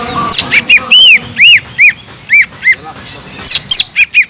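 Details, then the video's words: Sumatran leafbird (cucak ijo) in full gacor song meant to excite other leafbirds: loud ringing arched whistles and high piercing downslurs, delivered in quick uneven succession with faint background murmur. "PANCINGAN CUCAK IJO GACOR INI SANGAT EFEKTIF BUAT CUCAK IJO KURANG EMOSI"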